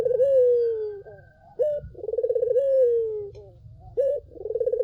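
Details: Collared dove song used as a lure to draw other doves: a low rolling, pulsing coo sliding into a long, gently falling drawn-out note, then a short higher hiccup note; the phrase repeats about every two and a half seconds.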